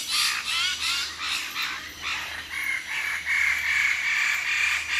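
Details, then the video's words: Close-up of Wallace's standardwings giving animated group calls from a perch at Labilabi. Rapid, repeated harsh notes, several overlapping, settling into a sustained raspy chorus. "Wallace Standard / Wallace's Standardwing. CU, Animated Group Calls From The Junior Perch. Labilabi"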